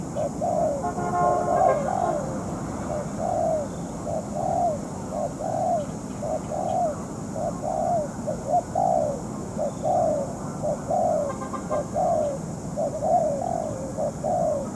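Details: Spotted dove decoy in moult, taken out trapping against a hard-fighting wild dove; a long series of evenly spaced soft, low coos, with brief faint higher twitters near the start and end.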